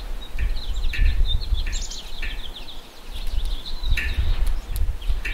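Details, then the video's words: Black-capped chickadee at a winter feeder giving thin high notes and short, buzzy 'dee' bursts in irregular runs, over a steady low wind-like rumble; Black-capped Chickadee. "La mésange à tête noire zinzinule !"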